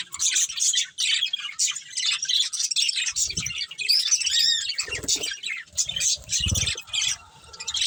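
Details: Pet budgerigars, a breeding pair, chatter in rapid scratchy chirps and squeaks, with brief pauses between bursts and some soft thumps, possibly wing or cage movement, toward the end.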